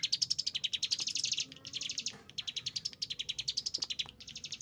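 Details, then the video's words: Agitated Chinese hwamei delivering bursts of rapid, high, chattering notes broken by short gaps, the phrases restarting quickly at the same pace. "cigun isian katem ngamuk"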